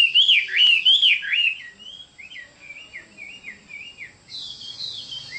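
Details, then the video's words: Chinese hwamei giving two loud looping whistles, followed by a softer run of short wavering notes and a brief hissy burst near the end. "Chim họa mi đẹp và hót rất hay"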